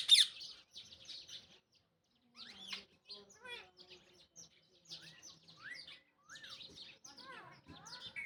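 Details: Pet ringneck parrot giving a varied run of high chirps, squeaks and slurred whistles with short pauses between phrases; no clear words are made out.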